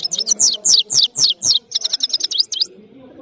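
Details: Goldfinch (saira) of Parachinar in powerful song: a lively stream of sharp, high notes sweeping downward, about four per second, then a quicker run of lighter twitters that stops abruptly.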